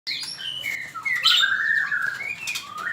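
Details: Male magpie-robin singing for use in training other birds: clear whistled notes sliding between pitches, a bright trilled flourish in the middle, then rising and falling whistles continuing without pause.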